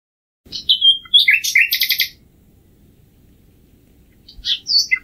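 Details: A common nightingale gives a quick whistled slur, then a brief rattle of rapid repeated notes. Silence follows before a few high chirps close the phrase.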